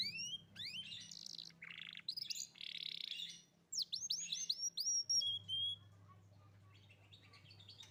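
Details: A young canary's song, meant to prompt a canary that stopped singing: rising whistles and broad buzzy rasps, then a cluster of sharp sweeping notes and a thin falling whistle, ending in quiet hum.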